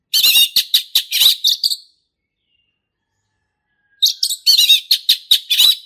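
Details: Male orange-headed thrush in the wild, singing gacor ngeplong: rapid strings of rich warbled and whistled notes in two long bursts, split by two seconds of silence.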